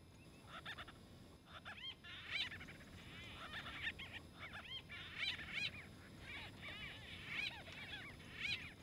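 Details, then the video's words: Several white-fronted bee-eaters squabble over nesting space in Kruger National Park, South Africa: a busy chorus of short, rolling, throaty squawks and chirps, overlapping irregularly with louder bursts every few seconds over a low rumble. "White-fronted bee-eaters fight"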